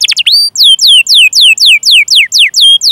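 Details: Canary song played to coax other canaries into singing: a quick series of clear down-slurred whistles, about four per second, bright and evenly spaced.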